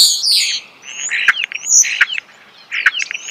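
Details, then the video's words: Nearby starling singing outdoors: grating high notes, descending whistles and sharp clicks repeated about every three-quarters of a second. "The song of the starling"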